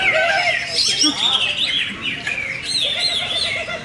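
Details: Greater green leafbird, a prize-winning singer, delivering a short loud stretch of bright, wavering whistles and squeaky chirps, the notes sliding up and down in quick succession.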